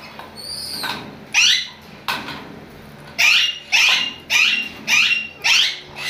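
A sun conure gives loud, harsh, screeching calls in a fast repeated series.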